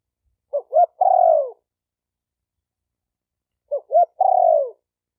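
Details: Spotted dove call used to excite decoy, male and female doves: two phrases about three seconds apart, each a quick pair of short upturned coos followed by a longer, sliding, downward coo, with no other sounds.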